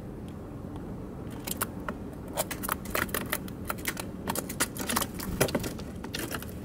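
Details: Quiet room tone gives way to a run of sharp, irregular clicks and snips, like scissors or small objects handled indoors, with no animal voice.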